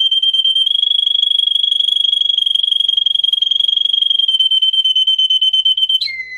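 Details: Russian singer canary, a breed raised for singing, in a training song for teaching canaries: one long, even, rapid trill on a high steady pitch for about six seconds, ending in a quick drop to a lower note.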